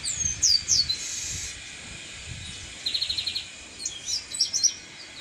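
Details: Chestnut-capped blackbird in nature: clear high whistled slurs at the start, a quick run of evenly spaced short notes near three seconds, then bright chirps, with a constant high background hum.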